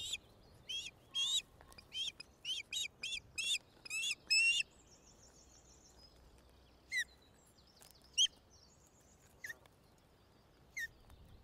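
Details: Resident male and female ospreys at their nest in Loch of the Lowes Wildlife Reserve, Scotland, May 2009, as the male brings a fish and the female feeds the season's first chick. A quick series of sharp whistled chirps, then scattered single chirps over steady background hiss.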